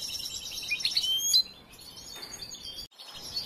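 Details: Young European goldfinch still in song training gives a short, bright burst of high twittering and slurred chirps that ends abruptly, followed by faint background noise.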